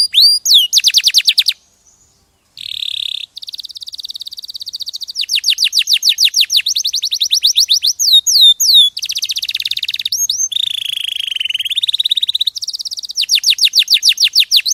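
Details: Champion canary singing, recorded as clear tutor song for training other cage birds: fast trills of repeated notes alternate with sweeping downslurred whistles and a buzzy held tone, with a short silent gap near two seconds.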